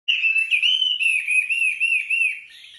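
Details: Wambi singing the gacor 'tembakan rapat' style used as a master song for training other songbirds: a loud, continuous whistled warble with smooth rising and falling swoops, steady and unbroken for over two seconds.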